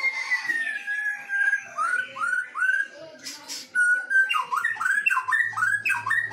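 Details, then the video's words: White-rumped shamas from Medan and Nias forest duelling: a run of rich looping whistled notes repeated in quick series, several overlapping voices, some room echo. "DUEL SERU mb MEDAN vs NIAS hutan"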